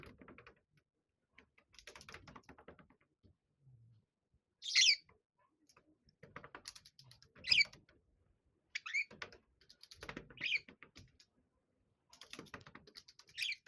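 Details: Two pet budgerigars, a 6-year-old male and a 7-year-old female, playing in a tunnel: sharp, bright chirps every two or three seconds, with soft warbling chatter and light scratchy rustling between.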